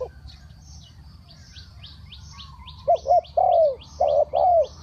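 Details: Faint high chirping for several seconds, then a spotted dove breaks in with loud low coos in the three-kuk-hoi style, paired short and drawn notes.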